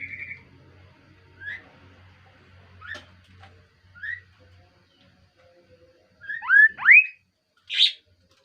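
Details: Scattered short whistles from a kaso-kaso bird build into a burst of rapid upward-sweeping whistled notes and a final buzzy note; a faint low hum fades early on.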